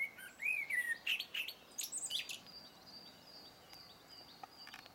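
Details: Blackbird singing a short phrase of mellow rising and falling whistles followed by thin high squeaky twitters, then quieter with faint high notes of another bird in the background.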